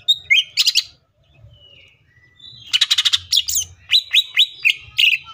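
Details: Green leafbird song in a full, varied burst: bright whistled slurs and rapid chattering trills around high pitch, pausing briefly, then fast repeated sharp notes, with faint low rumbling underneath.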